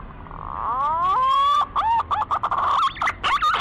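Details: Green pigeon call: a long whistled note rising smoothly, then a run of short wavering, warbling whistles of steady pitch, each broken by brief gaps.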